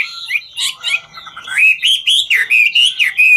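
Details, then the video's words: Hwamei in ngũ trường song, singing as it dances: varied chattering notes at first, shifting into loud, looping whistled syllables that rise and fall in a steady rhythmic string. "Họa mi ngũ trường hót múa cực chất"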